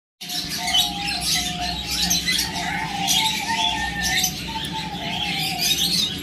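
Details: A bonding pair of kakariki chattering: bright, scratchy bursts of twittering and squawky notes run almost continuously, with a steady low tone held underneath throughout.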